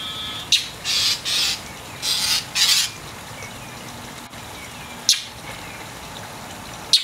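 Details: Angry mockingbird harassing a cat that is trying to clean its wet tail. Harsh, noisy rasping bursts come in pairs early on, then sharp isolated clicks, over steady background noise.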